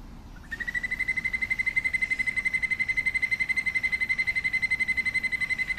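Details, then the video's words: White-necked puffbird singing: after a brief quiet start, a rapid, very regular trill of high pulsed notes begins and continues steadily at one pitch to the end. "Canto del Bobo de Collar"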